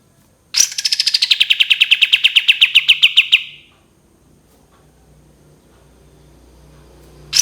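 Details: Cream-vented bulbul 'tembakan panjang': a quick volley of around thirty crisp high chips, sliding down then steady for nearly three seconds, followed by quiet with a low hum, then another burst starting.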